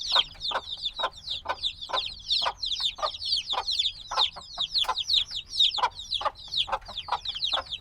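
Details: A noisy group of black chicks, only days old and still needing warmth, captured binaurally. They give loud shrill peeps, each dropping in pitch, in rapid overlapping bursts throughout.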